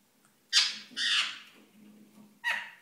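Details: Pet ringneck parakeet courting indoors, giving three harsh, broadband squawks: a sharp burst, a longer rasping squawk soon after, then another after a pause, with a low hum in the room between them.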